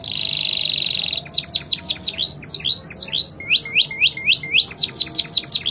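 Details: Singing Spanish Timbrado canary, clear-voiced with varied fast rhythms: a long metallic buzzing trill, then rhythmic chains of swooping whistled notes repeated several times a second, changing tempo partway through.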